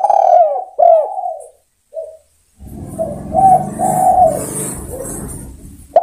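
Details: Spotted dove calling to its companions: two soft, falling coos and a brief note, then a burst of rustling noise over which a series of low, rounded coos continues.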